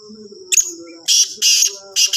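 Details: Black francolin calling in the evening near Sargodha, of the Sahiwal type: a soft buzzy opening, then three loud, harsh, grating bursts, each about a quarter second long, in quick succession.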